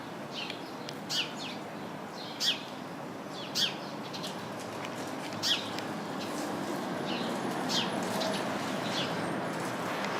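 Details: House sparrows chirping in a bush full of them along a path: short, bright chirps roughly once a second or two, over a steady rushing background noise.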